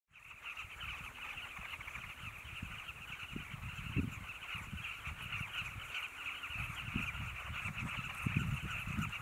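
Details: Many Carmine bee-eaters at Zambezi Mubala Lodge, Namibia, form a steady, continuous chorus of overlapping high chirping calls, over scattered low rumbling bumps and background noise.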